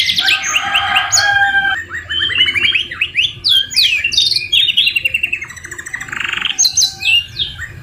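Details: Canary singing with murai batu (white-rumped shama) phrases mixed in: a loud buzzy roll gives way to clipped whistles, rattling trills and a low churring passage, with short gaps between phrases.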